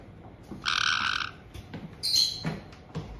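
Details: Captive white-bellied caiques in a Hokkaido Tokachi home, June 2023, as a resident pair welcomes a newly arrived chick just over two months old: two harsh, buzzy, broadband squawks, the first lasting over half a second, with faint clicks between.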